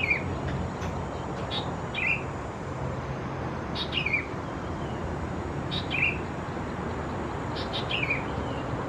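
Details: Sooty-headed Bulbul young of subspecies thais near Khao Yoi, Phetchaburi, Thailand, 17–20 June 2020, repeating high, short downslurred chirps about every two seconds, five in all, with faint clicks and steady background hiss.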